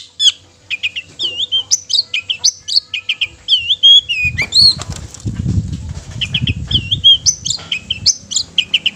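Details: Long-tailed shrike song, used to provoke other shrikes into singing and agitation: rapid, varied whistled and chattering notes, some sweeping up and down, with a low rumbling, fluttering sound partway through.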